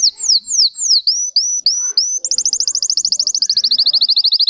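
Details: A Russian singing canary gives slurred falling whistles, then short rising notes, followed by a long rapid high trill of repeated pulses.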